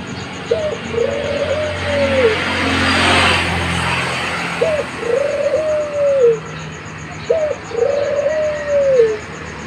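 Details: Puter Pelung dove, a young bird, gives three even coo phrases, each a brief sharp upward note then a long smooth hollow coo sliding down at the close, with a soft whooshing background noise and steady high ticking.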